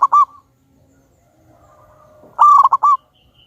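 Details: Local wild-type zebra dove, a loud, frequent singer used as a lure bird, sings deep hooting coos: a brief note at the start, then at mid-clip a drawn-out note broken into three quick stuttering beats; faint low hum beneath.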